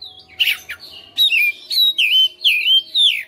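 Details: House-kept Oriental magpie-robin, fighter style, singing its fill notes: buzzy opening notes, then a string of five loud, drawn-out whistles, each sliding down then leveling, about two per second.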